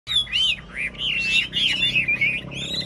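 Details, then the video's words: Chinese hwamei, a tame caged bird, in a rack singing contest: loud, rich whistled song of looping, sliding phrases that rise and fall, with brief pauses between bursts. "Họa mi hót đấu giàn"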